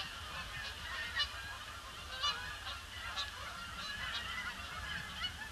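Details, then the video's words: Many Canada geese circling over a pond prior to landing on a grey Boxing Day; a dense chorus of honking, several sharper individual honks standing out among the overlapping calls, low rumble throughout. "Huge influx of Canada Geese"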